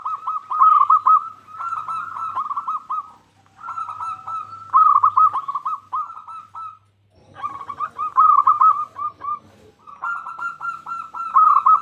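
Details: Zebra dove of a local strain, singing energetically as a lure to set other zebra doves singing: four long bursts of rapid, rolling coos, separated by short silences.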